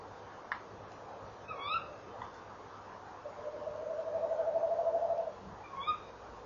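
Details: Tawny owls calling at a nest box at 19:22 on an evening in late November 2013. Sharp rising calls open and close the passage, with a long, steady, wavering hoot held for about two seconds in between, over a faint low hum.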